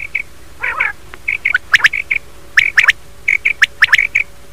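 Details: Common quail calling in the morning: short, clipped notes at a steady mid-high pitch, given in quick pairs and triplets. Sharper rising chips and a brief harsh burst near the start are mixed in.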